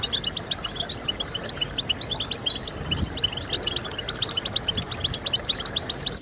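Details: Goldfinch (European) song for stimulating birds to sing: choppy high chirps and short twittering bursts, with brighter flourishes about every second or two, over faint low noise.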